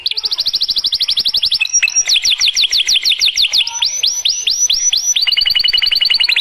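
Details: Lively canary song used to spur other canaries to sing: rapid high trills with frequent changes of pace, moving from clipped repeated notes to a run of ringing slurred whistles and ending in a quick, even chatter.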